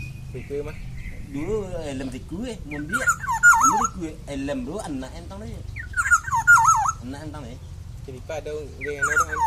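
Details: Black-naped oriole singing indoors, with loud wavering fluty whistled phrases repeated a few seconds apart over steady human speech and a low background hum.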